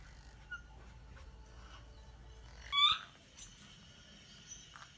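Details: Pet rose-ringed parakeet indoors, 8 April 2024, gives one short, sharp, harsh call, with a faint click or two afterward in an otherwise quiet room.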